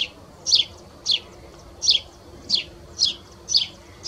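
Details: At S'Abufera, a Spanish sparrow that sounded like a tree sparrow repeats single piercing chirps, each sliding downward. Six come at roughly half-second gaps, over faint low rumble.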